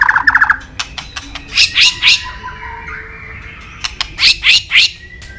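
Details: Murai batu, a white-rumped shama, singing with mimicry: quick chattering notes and clicks followed by two bursts of three harsh, scratchy squawks, with a faint whistle at the close.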